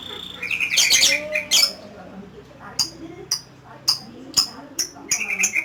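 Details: Lovebird in ngekek style, the long chattering song prized by Indonesian keepers: harsh, shrill squawking bursts clustered early, then sharp separate chips every half second or so, over low music and a man talking.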